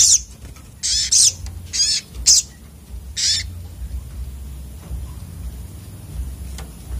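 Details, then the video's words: Excited sunbird (sogok otong) giving a cluster of harsh, high, buzzy bursts in the first few seconds, then falling mostly quiet apart from a low background hum. "burung sogok otong terapi ngamuk"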